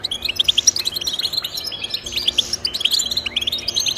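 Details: Goldfinch song played to motivate pet goldfinches: energetic high twittering with sharp tinkling notes in quick succession, several voices blending into a continuous chatter.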